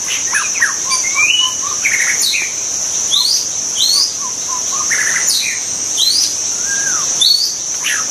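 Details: Wild white-rumped shama with a rich, varied song of swooping slurred whistles, higher sweeping notes and low soft whistles, repeated in phrases throughout, above a continuous shrill insect hum.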